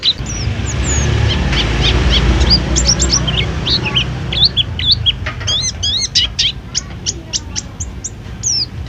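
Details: Pleci kept at a food stall sings scattered high whistles that build into a fast burst of rising and falling slurred notes. A low rumble of background noise accompanies it.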